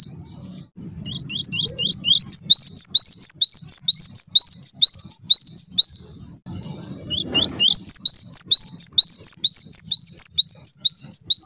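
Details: Java sparrow chips meant to provoke other Java sparrows: two long runs of sharp rising notes, roughly two a second, split by a brief pause with a short noisy burst.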